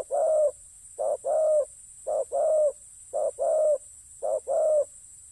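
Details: Decoy spotted dove on the ground coos in a regular rhythm. Each phrase is a quick clipped note, then a drawn-out mellow croo, repeated five times at roughly one-second intervals over a faint steady hiss.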